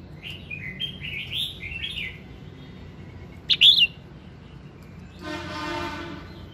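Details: Morning song of a red-whiskered bulbul, played to spur singing: a run of soft chirpy whistled notes, then a sharp loud warbled burst, followed by a raspy buzzy passage near the end.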